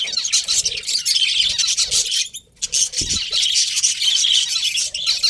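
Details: Budgies keep up loud, continuous high chatter of scratchy chirps and warbles, broken by a short quiet spell and a low knock in the background.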